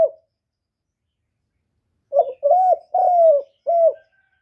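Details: Spotted dove cooing, used as a lure to draw wild doves to a trapping spot: a short phrase of four low, hollow coos, the third longest and falling slightly, following a brief opening note and silence.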